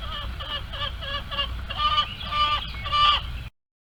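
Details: Hens in a barnyard coop screaming while trying to lay eggs: a run of repeated harsh, nasal squawks, roughly three a second, growing louder before stopping abruptly.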